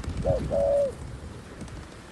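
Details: Dove used as a decoy to call wild doves down: a brief hoot then a longer smooth coo, with low rumbling background noise.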